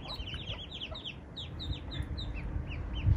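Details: Eastern spot-billed duck family, mother and ducklings, strayed into an area without ponds, rivers or waterside; a quick run of high, sliding peeps from the young, dense at first, then spaced, over low rumble.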